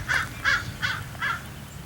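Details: Raven calling on a cool day in the 60s: four harsh, hoarse caws spaced about a third of a second apart, with faint low background rumble.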